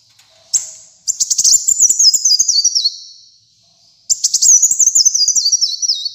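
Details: Sunbird known locally as kolibri muncang, singing hard on a training and lure recording. It gives a lone high note, then long phrases of rapid stutters followed by a zigzagging descending warble, repeated after a short pause.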